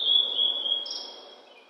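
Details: Blue-and-white flycatcher singing on a spring mountainside after rain, cloudy at 14°C; a sustained high whistle that fades out, joined by a brief higher tone partway through, over faint low background noise.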